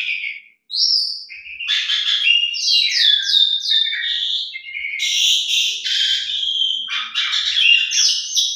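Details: Asian pied starling (jalak suren) singing nonstop with a rich 'isian mewah' repertoire meant to prompt silent birds: a dense stream of buzzy chatters, whistled slurs and harsh rattles, almost continuous across the recording.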